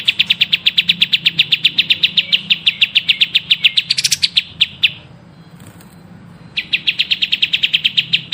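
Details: Very fast, steady chirping trill from a prolific songbird, recorded for song training, with a brief harsh flourish, a short pause, then the rapid chirping resumes.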